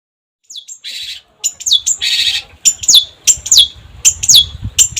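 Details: Long-tailed shrike song: sharp descending whistled slurs repeated in quick succession, with two short harsh buzzy bursts near the start and faint low rumbling beneath.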